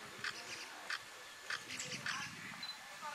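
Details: Four sharp, high 'pik' notes from a Brown-fronted Woodpecker at Pangot, India, in November 2023, spaced about every 0.6 seconds over a faint low murmur.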